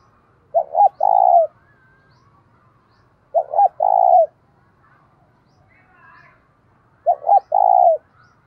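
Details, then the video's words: Spotted dove kept as a decoy, calling to provoke other doves to coo and fight: three identical phrases roughly every three seconds, each two short hoots and a sustained coo, faint murmurs between. "Chim Cu Mồi - cu gay kich boi nhanh noi gù hieu quả, cu gáy thúc đấu"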